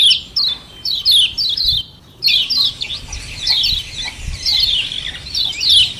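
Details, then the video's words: Common iora 'ciak ciak' calls in double form, played to make other birds respond noisily. Bursts of sharp, falling chips break off briefly near two seconds, then return in a busy, rapid series. "Doble Ciak Ciak Kecial Kuning Ampuh RANGSANG BUNYI Bikin Nyaut RIBUT"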